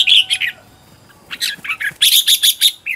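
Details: Red-whiskered bulbul kept as a decoy to lure wild birds and trained at home to sing fired-up competition song: bright chirpy phrases at the start, a quiet gap, then a burst of rapid, sharp, repeated notes.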